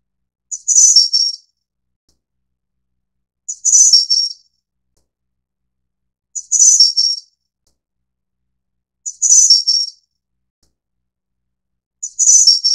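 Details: Taiwan subspecies innexa of the Snowy-browed Flycatcher giving five near-identical high, thin phrases of tinkling, slightly buzzy notes, each under a second long, repeated about every three seconds against total silence.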